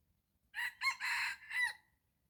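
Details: Wild junglefowl luring at dawn brings a red junglefowl crow: two short abrupt syllables, a longer rasping one, then a falling drawn-out ending, over faint low background rumble.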